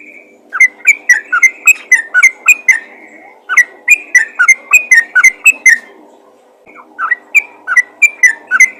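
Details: Rapid 'ropel' calls of a yellow-vented bulbul calling other bulbuls: bursts of quick, fluty, rising and falling notes, pausing briefly after about three seconds and again near six seconds before resuming.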